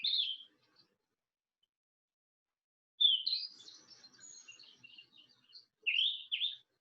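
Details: Green-backed flycatcher song, short bright high whistled phrases: a quick opening note, then a longer tumbling run of sweet notes fading out, and a final pair of clear whistled notes, with silent gaps between.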